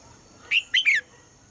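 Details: Morning call of a female red-whiskered bulbul, meant to get the male singing: one brief whistled note, then a quick pair of slurred, falling chirpy notes, clear and loud against low background hum.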